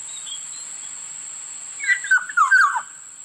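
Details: Black-naped oriole giving one short fluty phrase of four or five slurred whistles that step downward, lasting under a second, over a steady high electronic whine.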